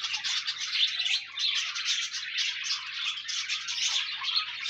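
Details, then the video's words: Pet budgerigars, used to encourage a lonely pet budgie to sing, give a dense, continuous warbling chatter of rapid chirps, squeaks and buzzy trills, steady in loudness with no pauses. "No more lonely budgies. Pet parakeets encourage your bird to sing"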